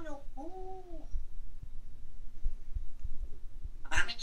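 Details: A pet grey parrot speaks a brief human-like phrase (said to be saying hello, good morning) with a rising then falling tone, followed by soft knocks and a sharp rustling burst at the end.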